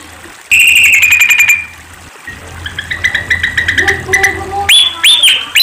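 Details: Sunda pied fantail song: a fast run of sharp repeated notes, then a quieter stretch of short high notes, a few longer steady whistles, and finally squeaky rising notes, with a low background hum.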